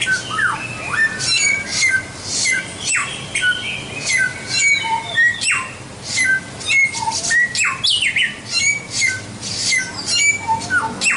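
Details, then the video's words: Tutor recording of white-rumped shama singing, meant for training songbirds: rapid, busy run of bright whistles, chirps and falling slurs packed closely together, with brief dips between bursts and a light hiss underneath. "Masteran Suara Samyong"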